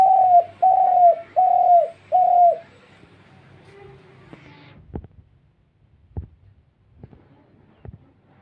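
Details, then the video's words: Dove giving four steady, evenly spaced hollow coos, each about half a second long and slightly falling at the end, followed by near silence broken only by a few sharp clicks. "সেই ভাইরাল ঘুঘুর ডাক"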